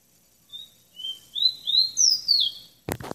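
A tropical bird sings a quick run of five or six high, clear whistled notes that slide up and down, ending in a sharp thump.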